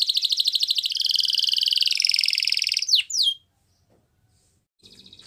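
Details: Yellow canary singing in the morning with a sustained rapid rolling trill for three seconds, two sharp sweeping notes, then silence and a faint distant murmur.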